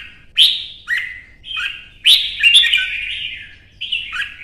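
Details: Red-whiskered bulbul singing in competition: sharp, loud whistled notes that drop in pitch, then a longer rolling warble, and a final short falling phrase, with quiet spaces between.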